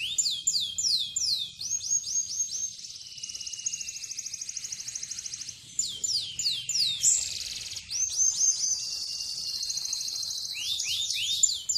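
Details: Canary of an SF x LZ cross singing a clear, unusual song: fast descending sweeps and rolling high trills, long sustained buzzy rattles, then more rapid sweeping phrases, continuous for about twelve seconds with little background.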